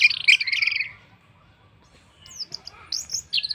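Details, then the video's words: Orange-headed thrush song used to prompt other birds to join in: a dense rich warbled phrase at the start, silence, then scattered high sharp notes and brief twittering. "pancingan Anis merah paling ampuh bikin burung lain ikut bunyi"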